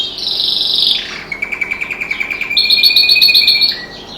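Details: Pet canary singing with other birds outside a window, delivering a long rapid rolling trill of evenly pulsed high notes, then a bright sustained whistled trill rising in pitch.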